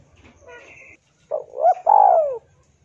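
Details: Spotted dove in lively song, played to train and prompt captive birds: three hollow coos close together, the last the longest and slowly falling, after a faint low murmur.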